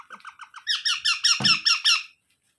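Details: Young parrot calling in a quick series of short, rasping notes that grow louder partway through, then stop; a dull knock is heard in the middle.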